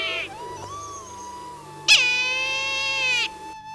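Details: Brahminy kite in Bangladesh gives a drawn-out, wheezy, cat-like mewing scream that sags slightly in pitch, after a brief mew; a steady musical tone hums beneath.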